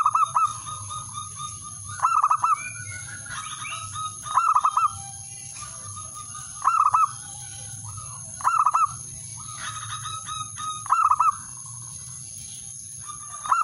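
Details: Male zebra dove calling a rival, a call meant as a lure. Clear cooing phrases near mid pitch, each a quick stuttered cluster of three or four notes, repeated about every two to two and a half seconds, over a steady high electrical whine.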